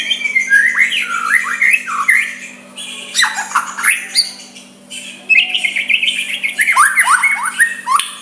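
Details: White-rumped shama singing softly to provoke a rival into replying: dense bursts of quick whistled notes and sharp sweeps in three phrases separated by short pauses, over a steady low hum.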